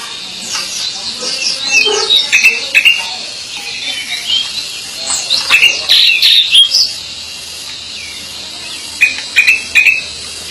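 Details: Pied bushchat singing busily, a restless run of sharp chirps and short squeaky notes in quick bursts, pausing briefly before a final cluster of bright chips near the end.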